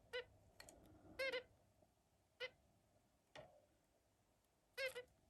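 A zebra finch gives short, nasal, toy-trumpet-like beeps separated by brief pauses.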